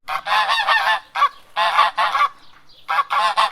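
Domestic geese honk in loud, nasal, harsh bursts, several overlapping calls in quick runs with brief pauses between groups.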